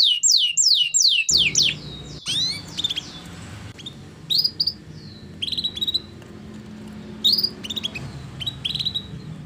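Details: Canary song used to stimulate a canary that will not sing: a few sharp downslurred whistles at first, then scattered brief high chirps and twitters over a steady background hiss.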